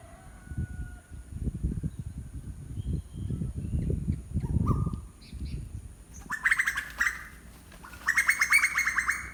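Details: Faint short whistles at first, then two loud bursts of rapidly repeated rising notes from an unidentified bird, with low rumbling noise throughout.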